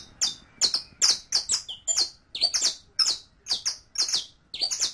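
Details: Saffron finch (canario criollo) tutor song for captive birds: a lively, rapid string of about a dozen bright, sharp chips and doubled notes, high-pitched and insistent.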